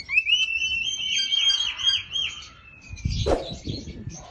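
A red-fan parrot gives a long, shrill, high whistle that holds steady, wavers in the middle, then slides slightly lower, followed by a brief clatter.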